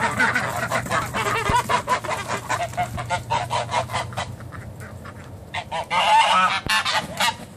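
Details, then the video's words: Morning geese recorded in 2014: a flock honking in rapid, uneven bursts, loud nasal calls overlapping at first, thinning out in the middle, then a louder cluster of honks near the end over a low rumble. "morning geese 2014"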